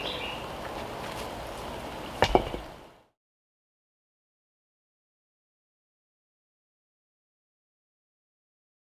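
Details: Low outdoor rumble with a couple of sharp knocks, then silence after about three seconds.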